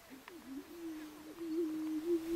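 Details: Greater prairie-chicken booming at a lek on Switzer Ranch, Nebraska, in 2011: a low, hollow, moaning hoot that swells and holds steady, like air blown across a bottle, over faint background hiss.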